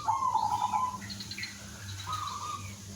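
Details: Village zebra dove singing as a lure for other doves; one quavering trilled coo, followed after a pause by a softer, fainter answering phrase against a low hum.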